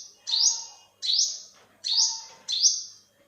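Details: Four high, slightly buzzy olive-backed sunbird notes in about three seconds, each sweeping up then holding and dying away, with quiet lower chatter between them.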